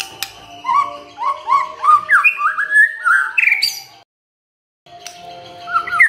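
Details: White-rumped shama song played as a lure to provoke other birds into singing: a fast run of clear whistled notes stepping upward in pitch, a brief silence, then a few more rising whistles, over a steady electrical hum.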